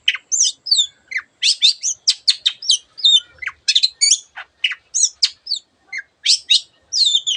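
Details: Long-tailed shrike (cendet) in lively 'gacor' song used to coax reluctant birds, full of imitated calls: a rapid stream of sharp chips, whistled slurs and down-swept notes, several per second, without pause.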